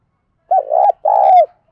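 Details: Spotted dove kept as a decoy bird, calling in the mixed thổ-and-thúc style used to excite wild doves and train new decoys: two loud, low, mellow coos, the first wavering and the second long and steady before dropping.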